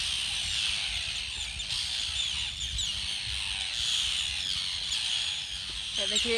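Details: A large Arctic tern breeding colony with chicks at Rif, Snæfellsnes, Iceland, recorded on a phone: a dense, continuous chorus of harsh, high calls from many birds at once, with overlapping rasping cries and no pause.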